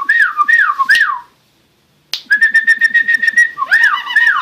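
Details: Starling giving looping whistled phrases that rise and fall, a short pause, then a long steady whistle pulsed with quick ticks, ending with repeated wavering whistled notes.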